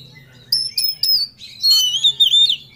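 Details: Kacer (Oriental magpie-robin) in full-emotion ngobra song, seeking an opponent. After a quiet start come three clear high whistles, then a long sweet warbled phrase of smoothly bending whistles.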